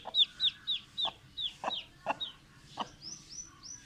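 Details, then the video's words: Mother hen clucking for her chicks in a fast, uneven series of about four short clucks a second, each paired with shrill chick peeps. Several clear, rising chick whistles close the sequence. "Hen Noises For Chicks | Chicken Hen Sound Effect"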